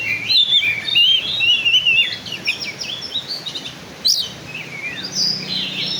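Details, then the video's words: Black-and-white Oriental magpie-robin delivering a rich song in a showy style: rapid run of clear whistles and warbled trills at first, then a sharp click and a few separate rising and falling whistled notes, with steady low background hiss. "Kacer Gaya Mewah"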